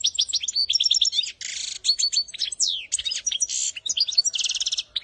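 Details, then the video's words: A goldfinch sings a fast, unbroken run of high, liquid twitters mixed with buzzy trills and short rising whistles. "goldfinch best singing training singing for baby's"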